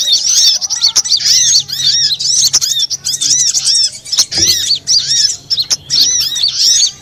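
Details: Sunbird lure recording (burung madu; konin, kowul, korlap, sogon types) used to attract birds: dense, rapid high-pitched chirps and arched twittering notes in overlapping bursts, with short pauses and occasional sharp clicks; faint low rumble beneath.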